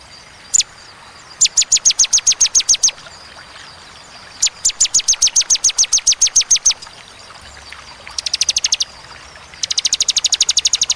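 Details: Repeated 'tembakan' bursts from a bar-winged prinia: several rapid series of high, sharp chips, each a second or two long, with short pauses between them. The final runs are faster and more buzzy.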